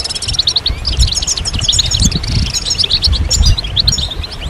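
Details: European goldfinches singing together, a chorus played to stimulate goldfinches out of moult and get males singing: dense overlapping high twitters and tinkling trills run continuously, with low rumbling noise underneath.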